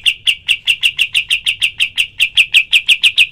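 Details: Kapas tembak calling in full 'tembakan' style as a tutor recording for other birds: an unbroken run of sharp, high, clipped chirps, evenly spaced at roughly five per second.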